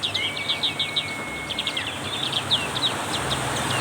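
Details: Black-capped white-eye chattering fast in heavy rain, about three high chirps a second, while a long flat whistled tone runs beneath the first half; rain hisses throughout.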